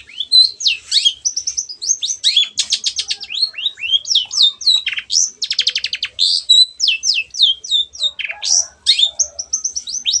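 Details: Lively long-tailed shrike song meant to coax silent birds into singing, mixing sharp downslurred whistles with fast buzzy trills and rattling bursts in an unbroken, varied stream.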